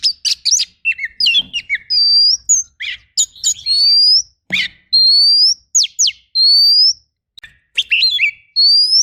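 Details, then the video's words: Oriental magpie-robin training song with rough, rapid 'shot' bursts: clear whistled notes, some rising, others held steady, broken by sharp downward-sweeping chips and buzzy clusters, with short pauses between phrases. "MASTERAN KACER FULL TEMBAKAN KASAR"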